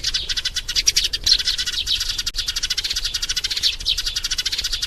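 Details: Sparrow lure call used for glue trapping, from a lovesick maturing sparrow calling for a mate: a dense, continuous stream of rapid, high chattering chirps with fast pulsing notes throughout.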